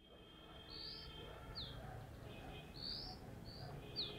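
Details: Dark-grey bush chat perched on a deodar twig at Jabbarkhet sanctuary in the western Himalaya gives a loud call: short high whistled notes alternating with down-slurred notes, about five notes in four seconds over faint low background hum.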